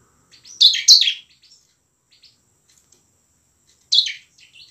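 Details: Bar-winged prinia song in ngebren and nembak style, a lure for lazy prinias; two loud, grating double notes, a quiet stretch with faint ticks, then one more burst.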